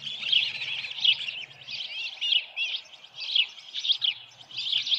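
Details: Softer osprey calling at the Dunrovin Ranch nest on the evening of 10 June 2018, headless fish at hand: a continuous chatter of wavering, whistled chirps, with a faint low hum underneath.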